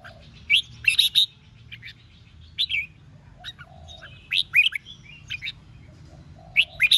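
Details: Red-whiskered bulbul 'ché' fighting song intended to make wild birds sing back: quick, bright note clusters recurring roughly every one to two seconds, mixed with softer trills, steady low background hum.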